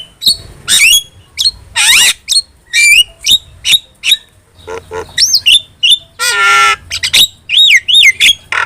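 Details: Chattering starling song used to train and excite captive starlings: harsh broadband squawks, rolling warbled phrases and loud rising-falling whistles, closely spaced and forceful throughout.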